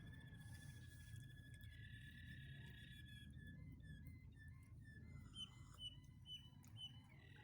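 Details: Waterslager canary from Quetta singing over a steady low hum: long level whistled tones, then short repeated rising and falling notes in a quick series, partly masked by background noise.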